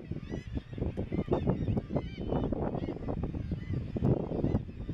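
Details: Razorbills at breeding cliffs, Bempton Cliffs RSPB, East Yorkshire, 21 May 2017: deep, rough grunting and growling calls from many birds overlapping in a continuous murmur.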